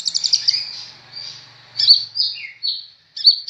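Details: Kolibri ninja sunbird in full voice soon after arriving with a new keeper. A fast stuttering run of thin high notes opens, then drawn-out buzzy tones and two sharp, bright chirps, with a faint low hum beneath.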